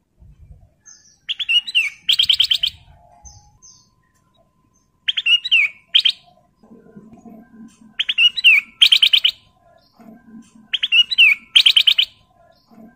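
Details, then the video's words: Male kutilang emas, the Ruby-throated bulbul, in breeding condition and singing hard to call a female: four lively phrases of rising chirps followed by rapid stuttering notes, repeated every few seconds, with soft low chatter between. "KUTLANG EMAS GACOR MEMANGGIL BETINA"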